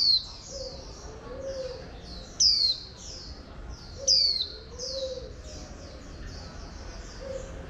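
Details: Female wild-caught oriental white-eye used to stimulate male birds to sing, giving high, thin, quickly repeated descending twitters in a steady chattering stream. Two louder sharp whistled sweeps break in, and soft low cooing sounds in the background.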